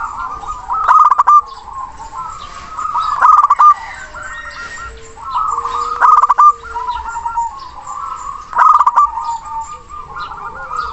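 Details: Local zebra dove calling a rival with a big, long-winded song: repeated rolling coo phrases with loud rattling notes about every two to three seconds, and a soft low steady tone in the middle.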